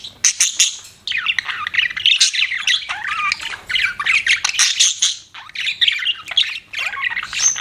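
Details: High, scratchy budgerigar chatter from pet birds: quick squawks and twisting whistled notes tumbling over one another almost without pause.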